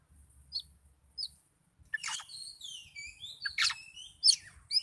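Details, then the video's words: Oriental magpie-robin in a highly agitated, chatty state gives a few soft single chirps, then breaks into a burst of varied, squeaky, overlapping whistles and sharp notes. "Kacer Gacor Kicau Door Lanjut Emosi Tingkat Tinggi"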